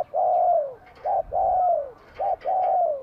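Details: Bell-voiced spotted dove in Vietnam, spring 2023, singing vigorously: a short coo and a long, falling, ringing coo, repeated about once a second in a steady, resonant rhythm.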